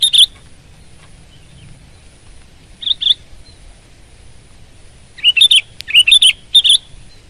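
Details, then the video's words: Sooty-headed bulbul singing: a short bright chirp, a pair of clear whistled notes near the middle, then a quick run of bubbly, slurred phrases at the end, with quiet pauses between bursts. "Kutilang Gacor Garuda Suara Full Power"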